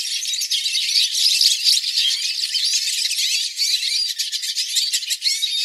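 Hooded siskin song: a fast, unbroken run of high twittering, buzzy trills and squeaky notes, lively and varied throughout, with no other sounds.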